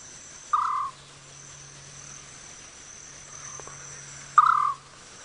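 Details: Scops owl call, possibly played back by the guide, at a tree where one was seen the night before, on a sunset safari drive in Djuma Game Reserve, Sabi Sand, South Africa, 30 July 2017: two short, purring trills about four seconds apart, with insects buzzing and an engine humming.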